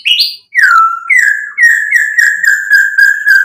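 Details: White-rumped shama, called murai batu, in loud 'gacor' song used as a lure to provoke other birds into answering; a rising whistle, then a slurred falling whistle, followed by a run of clear, steady whistled notes repeated several times a second.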